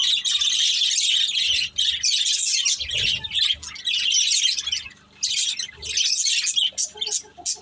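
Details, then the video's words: Several budgerigars kept as a family group and playing keep up a busy high twittering, with harsh squawky notes mixed in and a few brief gaps, plus faint low knocks. "Beautiful Budgies Chirping Sounds"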